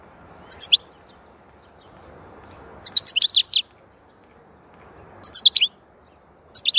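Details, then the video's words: Goldfinch song in short bursts of rapid, liquid twittering, each phrase under a second, repeated three to four times with quiet gaps between them against a faint low hum. "Huzur verici saka sesi mūkemel"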